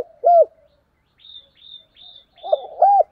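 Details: Decoy spotted dove calling in the morning: a single soft coo, then a few thin high whistles from another bird, then the dove starts another coo phrase.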